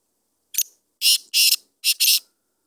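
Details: Kala teetar, or black francolin, calling a rasping, creaky phrase: one short sharp note, then two pairs of longer harsh scraping notes with brief pauses between, ending abruptly, with near-silent surroundings.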